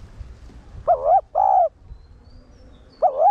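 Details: Spotted dove (cu đất) giving a one-ending decoy coo to stimulate newly caught caged males: a wavering coo and a longer level coo, a quiet gap with a soft hum, then the next coo begins.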